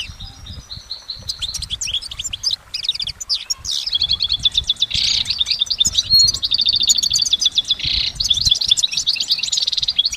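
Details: Long, uninterrupted goldfinch song recorded in nature, layered and full: dense tinkling twitters, buzzy trills and clear whistled notes running continuously for ten seconds.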